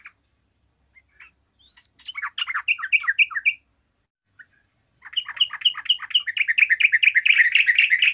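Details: Yellow-vented bulbul singing energetically, answered by others of its kind: scattered chirps, then a burst of quick bright bubbly notes, a brief pause, and a longer accelerating chattering phrase that grows louder and denser toward the end.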